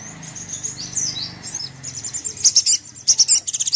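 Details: High, thin crimson sunbird twittering used to make another sunbird angry. Soft slurred notes come first, then loud rapid staccato chips in quick clusters toward the end, with low background hum.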